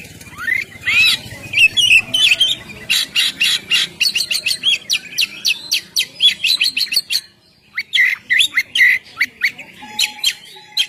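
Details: Kacer, the oriental magpie-robin, singing gacor in the ngeplong style to make other birds sing: a long rapid stream of sharp clicks, whistles and trills, a brief pause, then more whistled notes and one steady tone.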